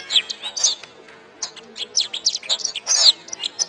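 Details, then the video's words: Canary master song for training caged birds: bright high chirps and downslurred whistles, a short quiet gap near one second, then resuming in rapid bursts. "SUARA BURUNG - Masteran Terbaik Kenari"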